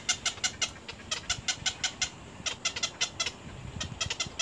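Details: Young little egrets at the nest biting their mother hard: fast, clicking chatter in uneven bursts, high and harsh, fading toward a faint rustling end.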